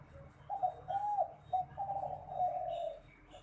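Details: Spotted dove song as prized for song competitions: a low, mellow cooing phrase of short coos running into longer rolling notes, closing with a drawn-out coo that falls slightly. Faint hiss bursts sit in the background.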